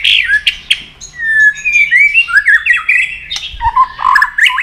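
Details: White-rumped shama giving a fighting song while flicking its tail to provoke a rival, a rich run of whistled phrases sliding up and down, mixed with sharp clicks and short chattering notes.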